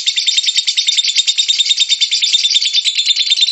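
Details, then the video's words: Short burst of lovebird ngekek song, played to provoke lovebirds into singing: a harsh, high, rapidly pulsed chatter held steady throughout. "MEMANCING BURUNG LOVEBIRD, PASTI BUNYI MENDENGAR VIDEO INI.. LOVEBIRD SINGING"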